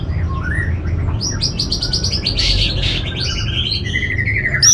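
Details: Orange-headed thrush from north Bali, Singaraja, singing a lure song meant to stir other birds into singing: a fast, varied run of sharp high whistles and chattering notes, some rising, over a steady low hum.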